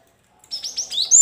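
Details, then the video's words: Cinereous tit song meant to provoke lazy caged birds to sing: a rapid run of four or five short whistled notes, rising toward a piercing high final whistle. "pancingan gelatik batu macet bunyi biar gacor sahut sahutan"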